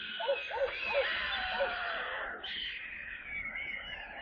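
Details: Stork chicks in their nest in Kaluga Oblast, Russia, late July, while being given water: a few quick arched mewing notes at the start, then only a broad hiss of background noise.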